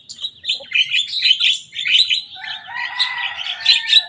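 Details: Young Javan myna copying rival birds' songs: a run of squeaky, chattering notes, then a sustained, twangy whistled tone held beneath rasping phrases until the end.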